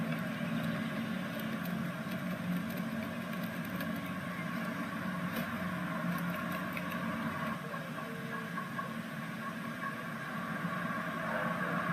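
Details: A steady idling engine hum with low droning tones fills the whole recording, with faint clicks and no clear animal calls.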